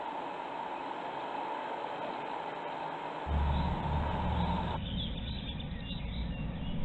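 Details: Steady broadband hiss and low rumble, growing louder partway through, with no animal voice present.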